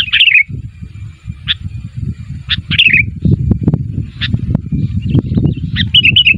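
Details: Sooty-headed bulbul call meant to prompt neighbouring bulbuls to answer: occasional sharp chirps and brief slurred warbles at the start and end, partly buried under loud, continuous low rumbling.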